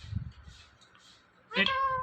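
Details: Indian ringneck parrot talking, mimicking the word "Mithu": after a quiet start with low rumbling, one loud nasal, harmonic-rich syllable arrives near the end and is held briefly.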